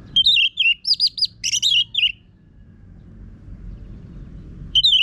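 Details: Harsh, loud song of an orange-headed thrush used as a singing lure for other birds: rapid wavering whistles and a scratchy flourish, a silent gap, then another whistled phrase begins.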